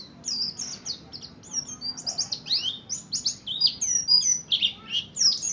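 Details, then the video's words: Buxtoni mountain white-eye practising ngalas ngerol singing to stimulate other white-eyes; a continuous jumble of very high, sweet twittering notes, slurred down and up, tumbling in quick succession for the whole stretch. "Burung kacamata pleci Buxtoni belajar ngalas ngerol pancingan untuk pleci lain || CHIRPING SOUND ||"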